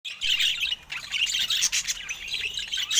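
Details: Pet budgerigar chattering while playing with its owner: dense, scratchy warbling and chirps, steady with short dips in loudness.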